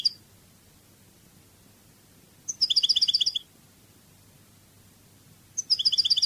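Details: Repeated short phrases from a European goldfinch singing the Spanish Cádiz style: a high note, then a fast, even, chiming trill of paired notes, recurring about every three seconds over a quiet hum.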